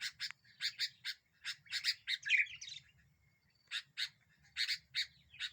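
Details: Sooty-headed bulbul singing energetically as a lure to rile other birds: clusters of sharp double chirps, a tumbling bubbly phrase in the middle, then a silent gap before more chirps.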